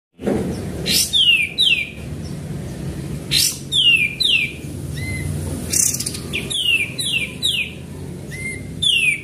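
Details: Sooty-headed bulbul singing actively, recorded as a lure for other birds: sharp downward-sweeping whistles repeated in quick pairs and triplets, mixed with short shrill bursts and soft low notes, over a steady low hum.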